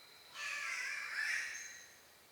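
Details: Australian Spotted catbird heard at some distance: one hoarse, nasal meow-like yowl of just over a second, softer and rougher than nearby calls, against a quiet hiss of background noise.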